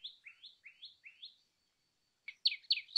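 Common tailorbird: four quick rising, sharp chirps about every quarter second, a short pause, then louder, harsher chirps.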